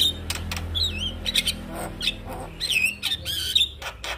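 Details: Male Javan myna in full song, used for other mynas to copy: harsh squawks and rasping bursts mixed with bright whistled slurs that rise and fall, delivered in a rapid, varied string with a low hum underneath.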